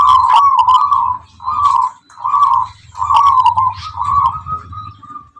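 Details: Local wild perkutut (zebra dove) of the Tuban tangguh type, prized for its rhythmic singing. A long run of rolling coos comes in clustered bursts over a steady low hum, ending in softer, evenly spaced notes.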